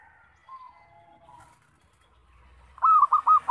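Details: Local zebra dove song meant for luring and trapping: faint, thin whistles from other birds at first, then a loud rolling phrase of fast, stuttered coos near the end.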